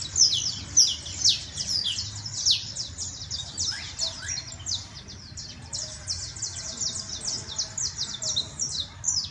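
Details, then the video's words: A Saffron Finch (canario criollo) sings a fast, high run of sharp chips and short trills, almost without pause, over a faint low hum. "CANARIO CRIOLLO"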